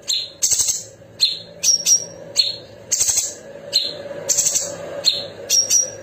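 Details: Sooty-headed bulbul (cucak cungkok) kept as a model bird for contest birds to learn, sharp rolling song: short high bursts and clear whistled notes repeated about every half second, with bright chirps.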